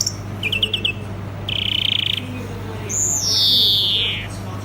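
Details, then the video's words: European greenfinch singing: a quick run of four high chirps, then a buzzy trilled note held about half a second, then a long slurred wheeze falling from very high; steady low hum underneath. "European Green Finch Singing Beautiful"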